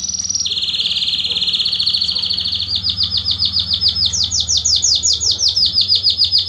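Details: Belgian canary singing a strong song used to warm up other canaries: a fast high trill at first, then a long steady rolling trill, shifting into rapid rhythmic pulsed phrases that rise and fall in pitch.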